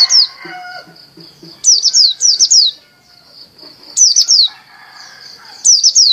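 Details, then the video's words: Champion Bali dakun white-eye in lively song: brief bursts of three or four high, sharply falling chirps repeated about every two seconds over a steady high insect-like hum, with faint lower chatter between bursts. "SUARA PLECI DAKUN BALI JUARA GACOR"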